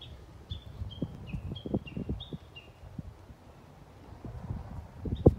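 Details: Japanese bush warbler, 11.3.2020: about eight short clear whistles in quick succession, some dipping lower. Soft low thumps sound throughout, and a sharp loud click comes at the very end.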